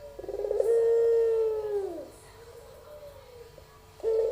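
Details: Young albino puter dove giving a long, smooth pelung coo that holds a steady low pitch before dipping and fading, followed by a brief note that opens the next phrase.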